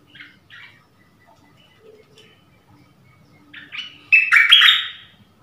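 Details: Forest recording of a decoy dok taeng bird calling a mate, January 2021; a few faint, scattered chirps, then a sudden loud, harsh burst of rapid chirping near the end.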